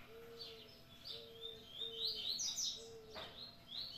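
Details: Green-winged saltator singing the Paraná song type: bright, slurred whistled phrases, high and rich, over a low, steady hooting note repeated about once a second.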